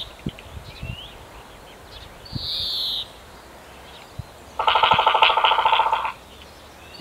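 Eurasian three-toed woodpecker: a brief high, buzzy note, then a fast even rattle lasting about a second and a half, over quiet woodland background.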